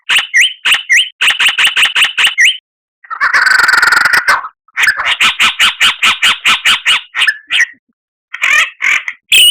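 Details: Varied masteran song of a white-rumped shama (murai batu): quick chattering series of repeated notes, a dense harsh rattling burst, more fast repeated notes, then scattered whistled phrases.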